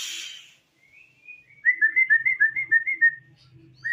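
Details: Caged, moulting white-rumped shama with a 22 cm tail, singing a quick series of clear whistled notes near one pitch. A brief rising whistle comes first, and a soft low hum runs underneath.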